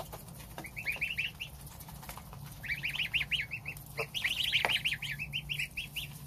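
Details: Domestic goslings feeding on starter ration with their mother goose while the father stands guard outside; loud, rapid, overlapping high peeps, each note quickly rising, in dense bursts of roughly three per second.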